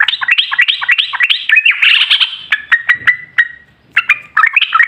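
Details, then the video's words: Yellow-vented bulbul song played as a lure to prompt other bulbuls to answer; varied gurgling warbled phrases, a drawn-out note, brief pauses, then quick bubbly notes resume. "Pancingan Trucukan"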